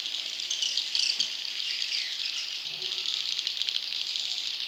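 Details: Young swiftlet calls played to draw in wild swiftlets: a continuous high, rattling hiss made of many overlapping buzzy notes, with a few sharper chirps in the first second.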